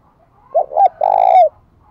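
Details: Lure spotted dove giving its call to entice wild doves: a soft rising first note, a second short note, then a prolonged mellow coo with a downward flick at the close.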